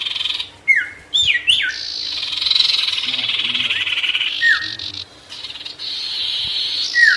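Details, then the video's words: Ashy tailorbird in vigorous song meant to provoke wild birds: brief downslurred whistles alternate with long buzzy rattling trills, and a few sharp upward notes open the passage. "SIRTU GACOR BIKIN EMOSI BURUNG LIAR"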